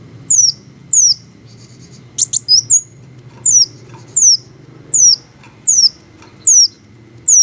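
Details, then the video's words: Green hummingbirds give a string of sharp, very high descending chips about once a second, broken once by a brief buzzy burst, over a soft low background hum. "the melodious sound of green hummingbirds"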